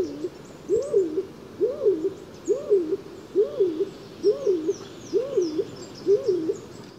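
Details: Stock dove, a fairly uncommon bird tied to deciduous woodland, giving its two-syllable song: low hollow coos repeated about once a second, seven phrases, starting sluggishly then working up, pumping and half-choked, sounding miserable.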